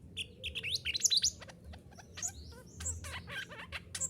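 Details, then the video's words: Mantenan gunung, a bushchat, in a recording used to teach caged birds to sing: a varied, jumbled warble of high whistled and twittering notes, loudest at first, then softer scattered chirps with some clicking. "Terapi Suara Mantenan Gunung Agar Cepat Gacor"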